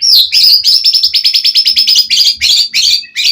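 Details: White-rumped shama in full, energetic song used as playback to provoke rival shamas into answering; a rapid, high series of sharp chirped notes repeated about three per second, ending in harsher, buzzier phrases.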